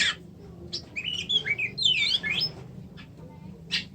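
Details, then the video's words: Oriental magpie-robin singing a soft warbling sequence of tumbling slurred notes, quieter and more subdued, ending with a single sharp burst. "kacer macet"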